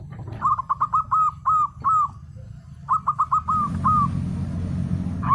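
Zebra dove giving two quick bursts of soft, rolling coos, each burst a string of short notes, over a low background hum and rustling.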